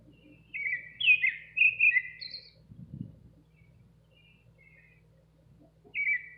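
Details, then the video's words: Nightingale singing outside a kitchen window: a burst of warbled, slurred notes around one second long, a pause, then a brief fresh phrase near the end; faint low hum underneath. "Nightingale singing"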